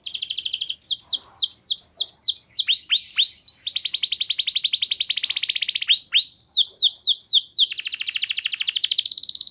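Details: Domestic canary in a clear-voiced lure song meant to get other canaries singing long: alternating rolls of sharp falling notes and fast even trills, almost without pause.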